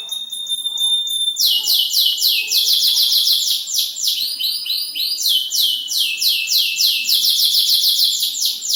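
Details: Caged canary, kept in a new and an old cage, singing: a brief high whistled note, then long rolling trills of rapid downward-sweeping syllables, about three a second, carrying on to the end.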